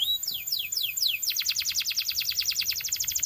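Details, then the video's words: Belgian canary song with four slow falling whistles followed by a long, very fast, steady trill of bright repeated notes. "Belgian Canary Singing"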